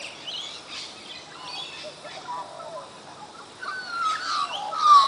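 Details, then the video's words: Australian magpies singing at Coffs Harbour: soft warbled and gliding notes, rising and falling, building to louder sliding whistles near the end over a quiet hiss. "Magpies Singing - Coffs Harbour"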